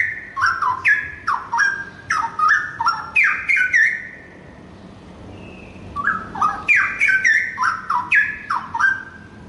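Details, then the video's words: Young wild-caught Straw-headed Bulbul pouring out rich, bubbling warbled phrases with liquid downward slurs, in two bursts of about four seconds separated by a brief pause. Straw-headed bulbul. "Syahdu Cucak Rowo"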